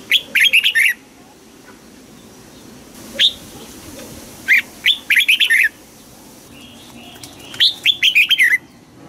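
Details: Red-whiskered bulbul competitive song in voice training for double notes: three energetic runs of rapid bright whistles with a lone note between, phrases a few seconds apart.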